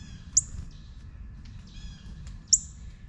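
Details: Two bright, piercing chip notes from a juvenile northern cardinal about two seconds apart, with soft, thin twitters and a low hum in the background.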